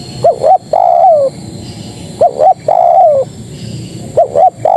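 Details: Female spotted dove calling to males, repeating a phrase of two quick coos and a longer descending coo roughly every two seconds, clear against a quiet background.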